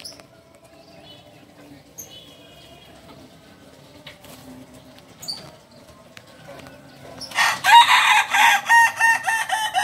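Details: A Kukuak Balenggek cockerel from Solok, West Sumatra, opens with a quiet stretch of faint thin chirps and small noises. Then, at the end, comes a loud, rich crow that breaks into rapid stepped pulses.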